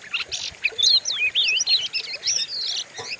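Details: Oriental magpie-robin singing a harsh, aggressive lure song for provoking other birds: quick sequence of looping, swooping whistles and scratchy notes, barely pausing, over a faint background.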